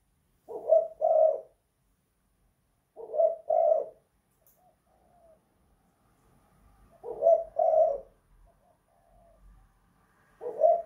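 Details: Spotted dove kept in a house, 'kuk 2 / guk 1' style, repeating short double coos roughly every four seconds, with faint murmuring low notes between phrases.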